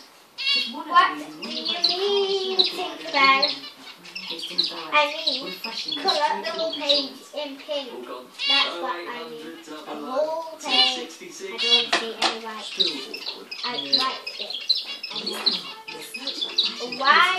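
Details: A very young chestnut-flanked white male zebra finch, on his first day in a new cage, sings on his swing: a rapid jumble of nasal, buzzy notes and squeaky chirps, with people talking nearby.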